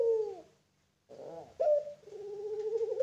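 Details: A captive Barbary dove of the pelung type at a bird farm gives low, mellow coos: a short falling coo, a brief pause, then a rolling, drawn-out coo that swells toward the end.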